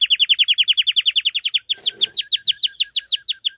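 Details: Canary singing a rapid series of bright, repeated notes, each dropping in pitch, which slow slightly and turn into hooked, two-part syllables; a brief rustle in the middle.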